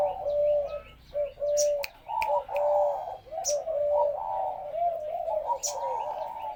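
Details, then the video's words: Spotted dove kept at home as a pet bird, cooing in short steady notes roughly once a second, some notes flat and some rising, with occasional clicks and taps. "Cu gáy nhà em"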